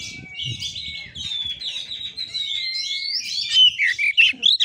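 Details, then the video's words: Oriental magpie-robin performing Kura-kura style fighting song: long, steady, thin whistles held for over a second, then a burst of quick, loud, clipped notes near the end. "KACER NGEPLAY TARUNG|GAYA KURA KURA"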